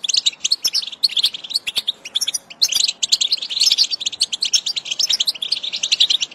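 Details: Goldfinch singing, used as motivation for a goldfinch: bursts of rapid tinkling twitters and buzzy trills separated by brief pauses, with sharp clicks scattered through.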